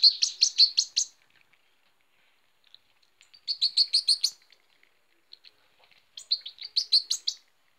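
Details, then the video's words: Hand-reared goldfinch chick, 2018, begging while being fed: three bursts of rapid, high, sharp chirps, each about a second long, separated by near silence with a few faint ticks. "Feeing baby goldfinch hand reared in 2018"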